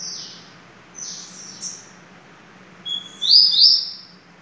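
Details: Double-collared seedeater singing in the Família Sertão song style: soft high whistled notes, then a level whistle that leads into a bright, buzzy, looping warble near the end, over a faint steady low hum.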